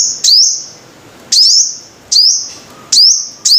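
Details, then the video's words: Five-coloured sunbird in a lure recording, giving loud thin high phrases. Each opens with a rapid rising slur and settles into a sustained piercing tone that rings on. The phrases come about every 0.8 seconds. "Tiếng chim hút mật 5 màu"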